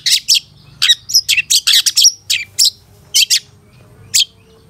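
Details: Long-tailed shrike master song for training caged shrikes: rapid bursts of sharp, high chirps and clipped whistles, clustered early then spaced out, with a faint low hum underneath.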